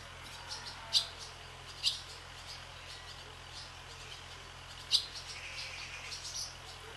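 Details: Barn swallows skimming across the sky above a swallow farm give short, sharp high chirps, a few isolated notes spaced about a second or more apart over a soft steady background hum.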